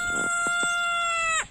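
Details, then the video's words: Rooster, a mixed-breed barbarie cockerel kept with hens, crowing and interrupting speech; a sustained harmonic crow held steady then cut off sharply, with a clucking sound at the start. "Désolé, il y avait le chant du coq."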